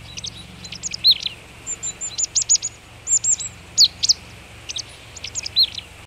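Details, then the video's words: Marsh tit calling on a frosty February morning at −18 degrees beside boar remains in Vitebsk Region, Belarus: a run of short, high, sharp chirps and quick clustered notes spaced irregularly across the clip, with no other clear sounds. "Гаичка буроголовая (Parus palustris)"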